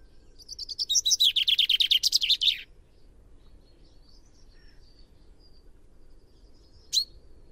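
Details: Common chaffinch song: a rapid, accelerating series of bright chirping notes that run for about two seconds and close with a flourish, followed by quiet background and one sharp click-like note near the end.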